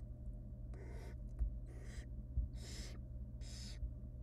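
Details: Barn owl chicks in a wild nest box beg with hoarse hissing shrieks while their mother tears up a rabbit for them; four noisy bursts close together, soft knocks between, low hum throughout.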